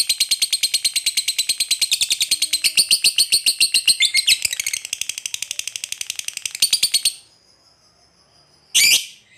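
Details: Lovebird calling out to other lovebirds so they answer, delivering a fast rattling ngekek trill of high, harsh pulses for about seven seconds, then silence broken by one short shrill squawk.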